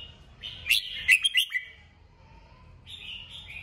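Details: Red-whiskered bulbul stimulated to sing: a quick burst of loud sharp chirps and a short buzzy warble, followed by a softer phrase after a pause.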